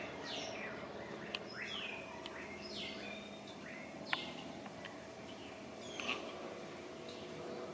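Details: A greyish saltator (Saltator coerulescens) sings short, slurred, falling whistles at loose intervals, over a steady low hum with other faint chirps around.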